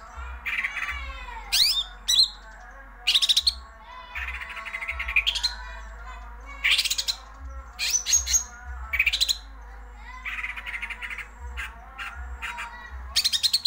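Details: Greater green leafbird in a wild 'ngerol' rolling song: varied bursts of buzzy chatter, sharp whistles and upward sweeps, delivered in rapid phrases with brief pauses between.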